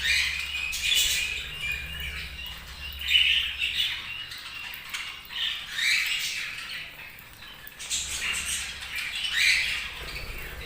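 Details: Group of budgies chattering in waves of scratchy, twittering chirps that swell and fade every couple of seconds, with a brief quieter lull late on and a low background hum.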